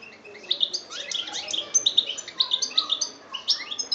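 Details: European goldfinch from Algeria, 2013, delivering a lively jangling song of bright high chirps, quick slurred notes and little trills in uneven, rapid succession.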